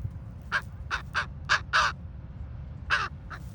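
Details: Ravens at Ocean Beach Dunes, San Francisco: seven harsh, hoarse croaking calls, several in quick pairs, spread over a few seconds above a steady low rumble of wind or surf.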